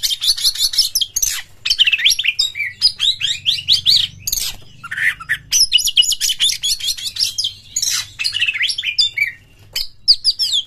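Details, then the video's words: Oriental magpie-robin (kacer) singing as a lure to bring other kacer into full mating-mood song; dense, rapid, loud stream of varied whistles, chirps and buzzy trills with scarcely a pause, faint low hum underneath. "SETINGAN KACER SAMPAI GACOR jebol birahi PAKE SUARA PANCINGAN BURUNG KACER INI pasti MENYAMBAR full"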